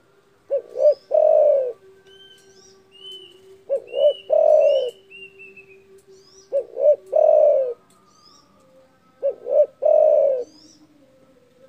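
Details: Spotted dove, loud and vocal, calling to provoke rivals: four spaced phrases of a double coo plus a long hollow coo, with high thin chirps of other birds and a steady low hum behind.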